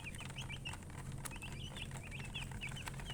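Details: Chickens described as colour chickens, making clear separate high peeps that slide up or down, scattered unevenly, with a strong low electrical-sounding hum and a single sharp click.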